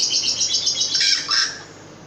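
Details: Caged long-tailed shrike delivering a rapid run of high scratchy chattering notes that slides into lower rough, downslurred phrases before fading.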